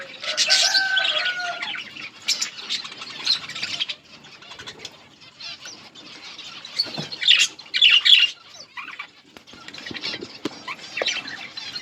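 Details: Colony of budgerigars chirping as they eat: loud bursts of busy, high chatter with a brief whistled note at the start, quieter scattered chirps in the middle, then louder twittering clusters again near the end.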